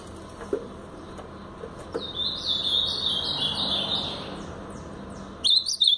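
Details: Brown-plumaged blue-black grosbeak singing in the Paraná song style: one sustained warbled phrase of rapid, jumbled notes, steady and high-pitched, lasting about three seconds, then the start of another burst, over low background hum and faint traffic.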